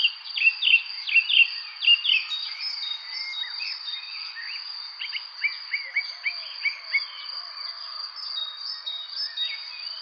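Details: Three nestlings waiting for their mother to bring food, giving high thin cheeping calls in quick clusters, louder early on and then softer and more scattered, over a steady high-pitched whine.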